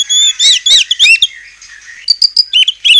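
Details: White-rumped shama singing to provoke rival shamas: a few slurred whistled notes, a pause, then short clear high whistles.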